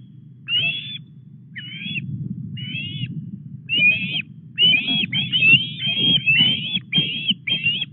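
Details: Osprey at a Welsh nest on Llyn Clywedog during a fish delivery, 4 August, 09:33. Short whistled calls begin spaced, then quicken into a rapid excited series, with wind rumble underneath.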